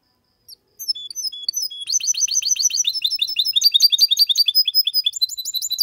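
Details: Singing goldfinch x canary hybrid, clean Malaga-style song meant to stimulate males and teach young birds; opens with scattered high whistles, then a rapid, loud, steady series of ringing metallic notes, about three to four per second.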